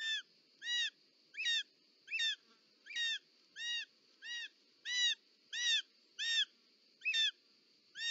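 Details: Short-toed snake eagle (Circaetus gallicus), a mother arriving with prey at the nest in Parc Natural dels Ports, July 2024, giving clear, whistled, slightly slurred notes about every three quarters of a second over a steady high hiss.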